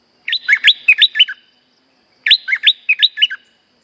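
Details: Streak-eared bulbul song used as a trapping lure: two bursts of five or six quick, bubbly, chirping notes rising and falling, separated by about a second of silence, over a faint steady high whine.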